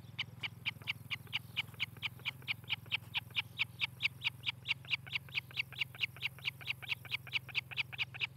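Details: At a nest near Charlo, Montana, on a July 2018 morning, a nest cam picks up an osprey giving a long, very regular series of shrill chirps, nearly five per second, over a constant low hum.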